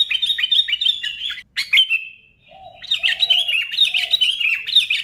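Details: Busy twittering song of a sooty-headed bulbul, meant to rouse other bulbuls: rapid chirps, a brief pause, then renewed fast warbling over a soft, low humming tone.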